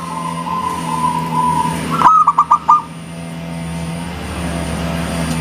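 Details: Zebra dove of local stock delivers a single crisp phrase of five fast, hollow coos after a droning hum, then the hum continues.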